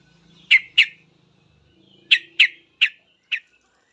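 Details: Yellow-vented bulbul, described as a lively singer, answering other bulbuls at once with noisy, rapid calling; six short, harsh, chirpy notes in two bursts, a pair then four, over a faint low hum.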